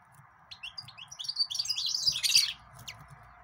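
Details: Green singer, the yellow-fronted canary, singing a quick jumble of high chirps and trills that build to a dense bright burst, then a single last note.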